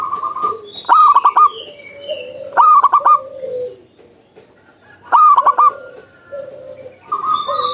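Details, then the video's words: Zebra dove singing freely in the wild. Three loud, rapidly stuttered coo phrases come about every two seconds, with other birds' lower hoots and thin whistles in between. "PERKUTUT GACOR SUARA ALAM LIAR"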